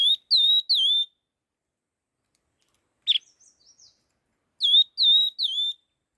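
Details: Laughingthrush giving a fast song; two phrases of three loud, clear whistled notes, each sliding down then levelling off, separated by a pause with a brief scratchy note in between, no other sounds.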